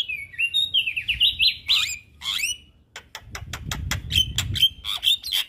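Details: ['Javan myna kept as a cage bird, recorded for training. A warbling run of slurred whistles and chatter is followed by a rapid series of dry clicks and short high whistles, with a low rumble underneath.']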